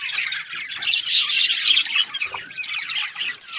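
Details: Kept budgerigars give scratchy squawks mixed with rapid chirps and sharp, repeated high tweets in a short, lively burst of group chatter.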